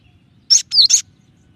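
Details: Short three-part phrase from a Cinereous tit, part of a varied song: a bright high note, then a swooping down-slurred whistle and a final sharp chirp, all within half a second.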